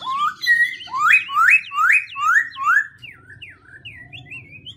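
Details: Black-throated laughingthrush varying its song: a rising whistle, then five loud upswept slurred notes repeated about every half second, ending in a quieter series of descending twittered notes.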